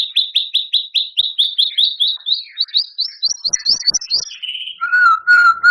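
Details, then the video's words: White-rumped shama song with mimicked canary, cililin and lovebird phrases, used for tutoring cage birds: a fast series of about twenty sharp repeated chips climbing in pitch, then a brief trill and a low steady whistle. "Suara Murai Batu Juara,Tembakan Murai Batu Gacor Full Isian Kasar Panjang Mewah"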